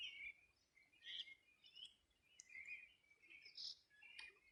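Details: Wild birds singing on the bank of the Rio Bueno, Los Ríos Region, Chile, on a summer morning in 2020; short bright chirps and whistled notes scattered through the clip, several callers, quiet background.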